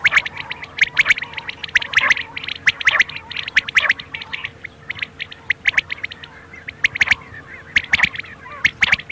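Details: Quails at night: a steady stream of short, sharp chirps and squawks from many birds, uneven spacing, about one burst per second, over a low constant hum.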